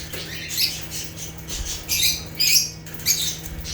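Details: Rare African lovebirds (Agapornis) in natural chirping: short, harsh, high squeaky bursts come in irregular clusters, loudest near the middle and end, over a steady low electrical hum.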